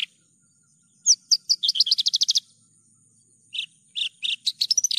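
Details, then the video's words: Javan bush lark singing vigorously in a clear lure and tutor recording: one sharp note, a pause, then a quick run of bright chirps, silence, and scattered higher chirps climbing toward the end. "PANCINGAN/MASTERAN JERNIH BRANJANGAN GACOR"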